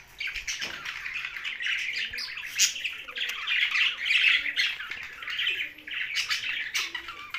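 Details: Young budgerigar keeps up continuous harsh chatter, grating squawky notes running together with brief sharp peaks.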